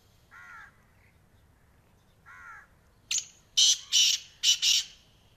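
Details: Black francolin calling: a loud, harsh, grating burst of four rasping notes in quick succession, preceded by two faint, soft, nasal notes from a more distant caller.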